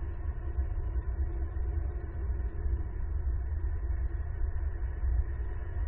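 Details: Continuous low-pitched rumbling hum, even throughout, with no bird or other animal voices.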